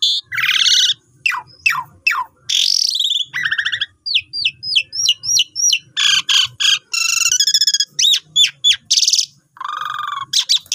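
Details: Asian pied starling in full, long-phrased song, used to train newly bought birds; a varied mix of harsh squawks, rasping buzzes, and rapid series of clear rising whistles, delivered in dense bursts with short pauses.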